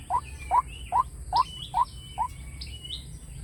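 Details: White-breasted waterhen playback lure: six short, hoarse notes, each rising slightly, repeated about twice a second against faint background noise.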